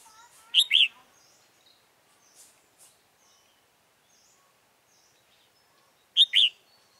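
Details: Red-whiskered bulbul, a decoy singing during a trapping session on 28 February 2017 to lure wild birds. Two loud, quick warbled two-note phrases sit about six seconds apart, with faint chirps from other birds in between.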